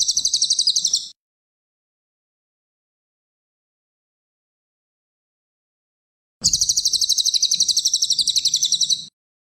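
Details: Cililin, a champion songbird, delivering two bursts of very rapid, high chattering trill, a short one-second phrase then about five seconds of silence before a longer, denser phrase of quick repeated chirps lasting over two seconds.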